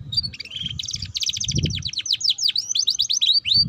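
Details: Canary song aimed at getting young canaries to sing ngeriwik: fast, clear, high trills that shift into a rhythmic series of hooked chirps roughly eight per second, with a soft low rumble.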